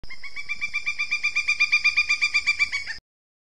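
A woodpecker gives a quick, steady run of sharp, nasal, ringing notes, several per second for about three seconds, then stops abruptly; nothing else is heard.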